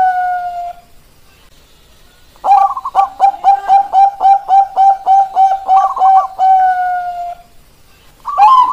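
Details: A zebra dove of the Bangkok type sings to stir lazy doves: a drawn-out coo, silence, then a quick even series of kok notes ending in a long held note and a fresh start.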